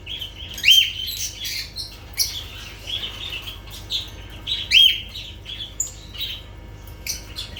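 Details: Several lovebirds chirping: sharp, high, upslurred shrieks stand out twice among rapid scratchy twittering and short squeaks, steady chatter throughout over a faint low hum.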